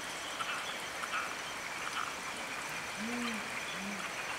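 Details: Two tawny fish owls, a mated pair, answering each other by a Taiwanese mountain stream; a pair of low, mellow hoots near the end, half buried in the hiss of flowing water.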